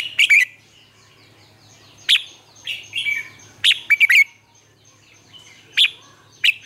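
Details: Red-whiskered bulbul kept as a caged lure for coaxing captured bulbuls into song, Vietnam: clipped whistled bursts with sharp onsets, the first rapid and doubled, then phrases every second or so, over a faint low hum.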